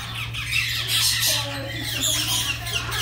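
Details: Red-tailed grey parrot showing affection toward its friend on a visit: bursts of bright, grating squawks crowd the three seconds, with a few short tonal notes beneath and a constant low hum.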